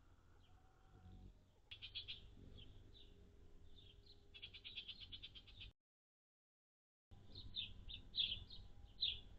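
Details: Anna's hummingbirds at feeders on June 7, 2022, with a high of 76F and a low of 51F. High, clipped chips come in quick bursts and scattered single notes, growing louder near the end, over a quiet low hum.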